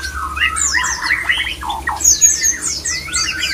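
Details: White-rumped shama (murai batu) mating sound, used as a lure to stir other shamas into breeding condition: a rich run of loud whistled notes, slurred phrases and sharp high chips, with overlapping rapid sweeps late on and a low steady hum beneath.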